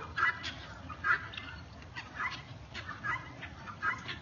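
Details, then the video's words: Guineafowl around a neighbourhood, loud birds, uttering rasping chattering notes roughly once a second in an uneven series over a low background hum. "Guineas in the neighborhood"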